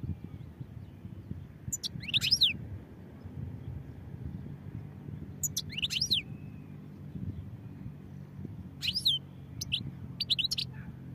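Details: European goldfinch singing: three separate bursts of high, tinkling twittered notes with quick rising and falling slurs, spaced a few seconds apart over a steady low rumble of background noise.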